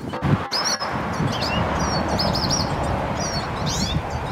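A hooded siskin gives a thin, high twittering song of quick chirps and slurred notes over steady background hiss and a low rumble.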